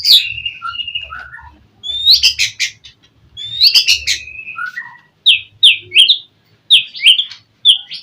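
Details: Singing white-rumped shama meant to provoke another into answering, mixing sustained whistles, dropping slurs and bursts of harsh chatter, then a closing string of bright rising whistled notes.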